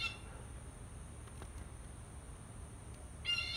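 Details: Blue jay in Texas gives harsh, nasal jeer calls, one clipped at the very start and another near the end, over a low rumble and a steady high whine.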